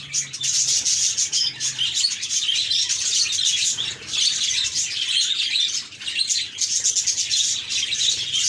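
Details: A flock of happy pet budgerigars chirping continuously: rapid squeaky tweets and chattering warbles layered densely, rising and dipping in loudness over several seconds, with brief soft fluttery sounds.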